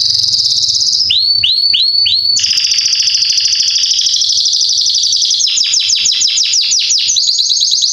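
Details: Salsa Belgian canary, described as excellent for teaching young birds to sing, in vigorous song: a trill, three rising upswept whistles, a long rolling trill, then rapid descending notes.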